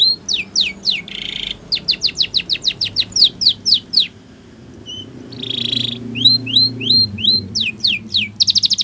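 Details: Spanish Timbrado canary singing a training song: rapid falling whistled strokes in quick series, a short buzzy tone, a pause, then rising slurred notes repeated in a row and a fast trilled ending.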